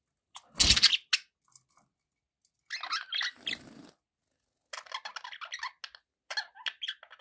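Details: Pet budgerigars chattering: a loud rattling clatter, then bursts of scratchy, warbling chirps with short gaps of silence between them.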